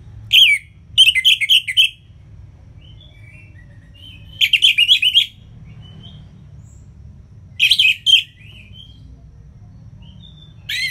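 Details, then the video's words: Ngeplong song of the orange-headed thrush, anis merah, played to spur lazy singers: dense bursts of five or six rapid, scratchy whistled notes, recurring every few seconds with soft thin whistles between. "ANIS MERAH Ngeplong Masteran Jahat Untuk Burung Yang Malas Bunyi Agar Lebih Gacor Selalu"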